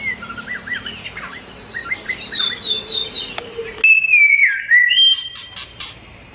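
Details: White-rumped shama singing in the wild: after a stretch of softer, quick chirps from other small birds, a loud clear whistled phrase slides down and then rises, followed by brief sharp notes.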